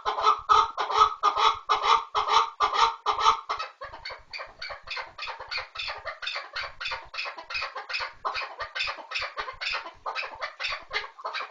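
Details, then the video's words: Chukar partridge in a rapid chuckling series, about two notes per second. A loud opening stretch gives way to softer, overlapping calls that may come from more than one bird. "kınalı keklik sesi"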